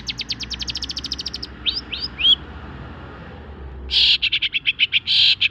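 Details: Post-moult long-tailed shrike in full song: a steady fast stream of short high ticking notes, three sliding whistles, a pause, then a run of loud, harsh, rasping chattering notes.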